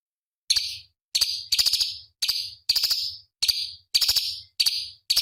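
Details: Cucak cungkok, a small songbird used as master song for competition birds, repeats short, high, sharp buzzy bursts about once every half second to second, each starting with quick ticking notes and fading out.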